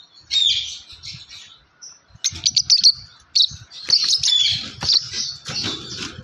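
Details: A yellow lovebird gives shrill, harsh chirps in quick, uneven bursts, with short pauses between runs of rapid chatter.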